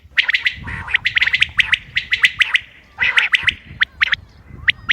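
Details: Common quail recorded 28 May 2025, its calls used for hunting, give sharp, liquid clipped notes in quick bursts, dense and overlapping at first, then thinning to spaced groups of two or three.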